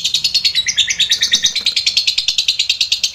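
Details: Lovebird ngekek, a long trilling song used as a master recording to train other lovebirds: a rapid, even chatter of harsh shrill notes, about eight per second, running unbroken throughout.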